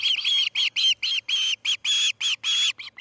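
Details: Osprey at the Charlo nest, fledging morning of August 10, 2018: loud, drawn-out, squealing whistles with irregular gaps, some notes long and some clipped short.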